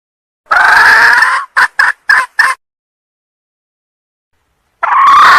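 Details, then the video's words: Sumatran female red junglefowl luring a male: one long rasping cry followed by four quick harsh clucks, a pause, then another drawn-out hoarse note begins. "suara kokok ayam hutan betina pemikat ayam jantan"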